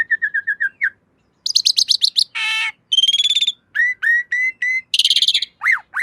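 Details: Asian pied starling master recording for training cage birds: a varied medley of quick repeated whistled notes, harsh buzzy bursts, rising slurs and a fast trill, changing every second or so.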